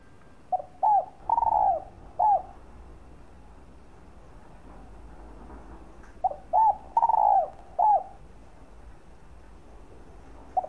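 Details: Spotted dove (cu gáy, cu đất) cooing to stimulate and lure other doves: two phrases about five seconds apart, each a soft stuttered lead-in, a smooth coo, a long wavering croo, then a short falling final coo; quiet background.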